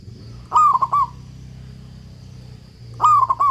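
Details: Local zebra dove in strong song, used to train doves that have stopped singing: two rolling, cooing phrases with a long first note and quick trailing beats, over a faint low steady hum.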